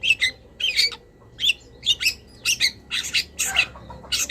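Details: Long-tailed shrike singing a master recording for cage-bird training, full of wild-bird fill-in notes. Harsh, squawky chattering bursts and short slurred whistles repeat irregularly, roughly every half second.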